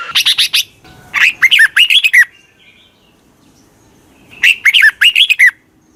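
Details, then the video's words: Red-whiskered bulbul lure call for wild birds: rapid clusters of sharp chirps and slurred, down-curving whistled notes, a long busy phrase near the start and another after a two-second pause. "Tiếng chào mào mòi chuẩn gọi chim bỗ nhanh về"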